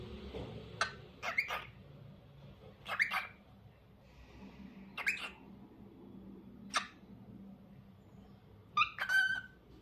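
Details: Repeated short, sharp chirps from a lutino cockatiel roughly every two seconds, ending with a double chirp and a descending whistled note, faint hum underneath.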